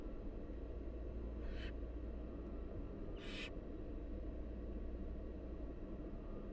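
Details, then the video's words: Two breathy, rasping hisses from wild barn owl chicks begging during feeding by their mother, the second louder, with a low droning background. "Barn owl mother feeds her nestlings"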